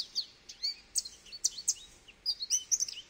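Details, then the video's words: Goldfinch song in a short burst: thin, bright chirps and slurred whistles, closing in a rapid twittering flourish. "Goldfinch Bird Sounds"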